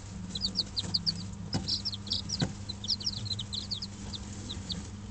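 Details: Brooder of five-day-old Dutch bantam and Barbu d'Anvers chicks warmed by an electric hen: clusters of quick, high peeps, a couple of soft knocks and a steady background hum.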